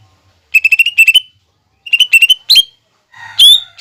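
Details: Captive lesser green leafbird training song with imitations of fighting sparrows, lovebird and hummingbird: quick runs of bright, high chirps in clusters, followed by a few louder, sweeping, harsher notes.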